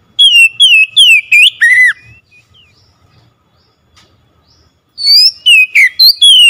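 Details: Oriental magpie-robin song used as a lure to get a silent bird singing: loud, clear whistled notes with sliding pitch, five quick phrases in a burst, a pause, then another rapid burst of bright whistles.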